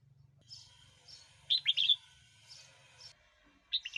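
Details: Red-whiskered bulbul singing, for provoking wild birds or teaching chicks: a quick whistled phrase of several notes, softer high chirps around it, and another phrase starting at the end.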